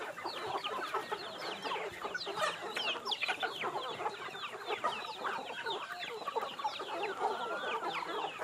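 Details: Flock of free-range chickens at feeding time, giving a steady, dense mix of quick clucks and small rising squeaks, many birds calling at once without pause.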